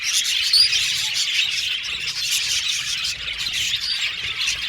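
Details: An aviary colony of budgerigars keeps up dense chattering, with high chirps and a few squawks over a constant twittering background, one clear upward squeak early on.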